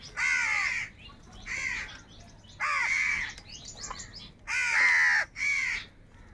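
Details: A gathered crow flock, angry and squabbling over food, gives five hoarse, buzzy caws in quick succession, with weaker calls from other crows between them.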